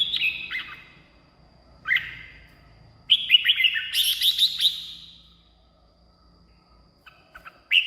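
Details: Red-whiskered bulbul song, played to excite caged birds or lure wild ones: three short bursts of bright, bubbly whistled notes, the middle one a rapid run of rising and falling warbles, with quiet gaps between phrases.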